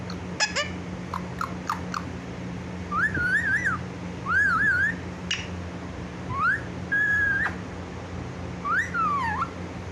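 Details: Pet parrot talking in a clear voice, said to call "mummy mummy"; looping wavy whistled phrases and a few sharp clicks, some rising notes, a low hum throughout.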